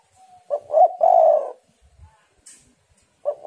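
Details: Female spotted dove calling to lure and stimulate males: a low cooing phrase of two short coos and a longer drawn-out throaty coo, with the next phrase starting after about two seconds of quiet.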